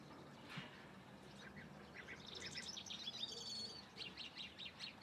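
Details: Calandria song made of quick varied chirps and bright whistled notes, densest in the second half, delivered in rapid bursts over a low background hiss.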